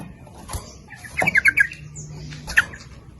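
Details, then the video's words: Sooty-headed bulbul used as a lure to call males and females: a faint, short run of four or five bubbling notes, a single sharp note later, over low background hum and rustle. "Suara Pancingan Trucuk gacor memanggil jantan maupun betina ikut bunyi nguplik ropel"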